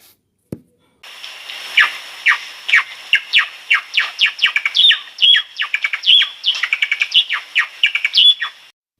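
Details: A Java sparrow in Jagrati Park, Delhi, on 14 September 2024 sings a steady run of dry clicking chips and bright bell-like notes, some ending in short clear whistles, about three a second; a single thump opens it.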